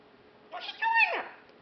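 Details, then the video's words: Captive female macaw mimicking human speech indoors: one squeaky, nasal phrase of two quick syllables with a falling end, at the unusually high pitch of a talking parrot, while the owner talks to her nearby. "Macaw Talking, Parrot Talking"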